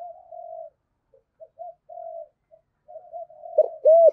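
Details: Spotted dove of the 'giọng thổ' voice, used to prompt wild-caught birds to coo. Soft, level humming tones come and go, ending in two loud, rounded coos.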